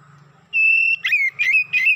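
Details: Oriental magpie-robin, excited, holds a long steady whistle, then delivers three rapid slurred whistle notes, loud and clear above a faint low hum.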